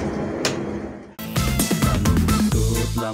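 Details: Electronic music with a steady beat and layered tones, preceded by a short quieter passage with a single knock, with no animal voice present.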